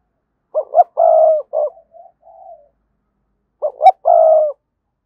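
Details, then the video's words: Decoy spotted dove coo for luring wild doves into calling. A double note and long coo with a short tail and soft murmurs, then the same phrase repeated after about three seconds. "Tiếng chim cu gáy thúc bổi, mở lên nhá bổi gáy liền, giọng may bổi"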